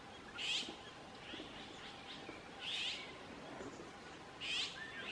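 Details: An azure-winged magpie in South Korea in 2018 gives three short, wheezy, rising calls, roughly every two seconds, over a steady background hiss.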